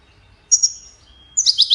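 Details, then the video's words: European goldfinch, Widani-style song used to tutor chicks: a high, thin whistled note that slides downward, a brief pause with a faint steady tone, then a quick burst of bright, jangling twitters. "تغريد ويداني لتسميع فراخ الحسون"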